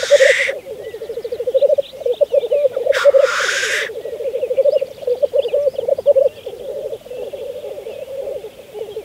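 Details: Continuous rolling, gurgling coos of black grouse at a spring lek, Saaremaa, Estonia, 2014, broken by two rasping hissed bursts, one at the start and one about three seconds in.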